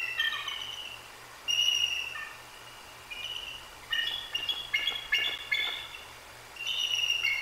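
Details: After a Great Horned Owl hit the sleeping female on her perch, a female bald eagle and her mate call repeatedly on a nest cam recorded 1/2/24. High whistles break into a rapid, stuttering chatter midway, with a faint low hum beneath.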